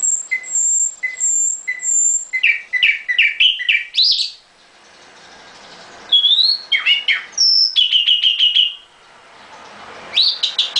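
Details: Nightingale in a cage delivers high thin whistles repeated three times, then rapid swooping notes, a pause, and a run of fast repeated trilled notes ending in rising chirps, separated by short silences.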